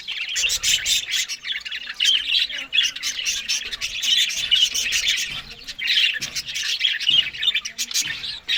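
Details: Australian budgerigars at a morning meal of green food keep up rapid, high-pitched chattering and chirping, broken by crisp ticks and clicks, the loudness pulsing every second or so.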